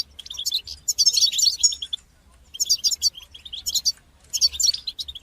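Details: Goldfinch song in the bitbita and sitsita styles for training young goldfinches. Rich tumbling twittering phrases last about a second each, separated by brief pauses, with a faint low hum.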